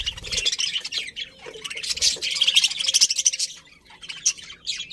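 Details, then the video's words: Happy budgies in a colony, a continuous busy chorus of buzzy high chatter and squeaky chirps from several birds at once, barely pausing. "Happy Budgies Chirping Sounds"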